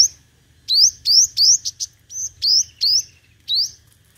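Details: Five-colour sunbird singing competitively as a decoy. A run of quick, high, rising whistled notes is broken by two brief clicks. A faint thin high tone follows, with a low hum behind.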